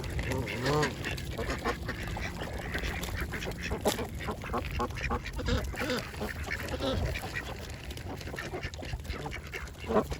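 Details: A variety of ducks feeding at a pond, continuous chorus of overlapping quacks and nasal chatter, some calls with a clear ringing tone, against a constant low background rumble.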